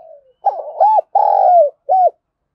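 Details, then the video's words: Spotted dove used as a decoy to provoke and lure wild doves. It gives four low, hollow coos: short arched notes around one long, drawn-out note that falls at the end, then a brief closing coo. The background is quiet. "Chim Cu Mồi Thúc Đấu Vấy Bổi"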